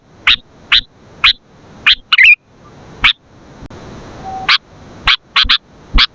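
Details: Sooty-headed bulbul singing vigorously, used to lure and train other bulbuls: about a dozen sharp, bright chirps at uneven intervals of about half a second, with one brief warbled flourish near two seconds, over a soft low background hum.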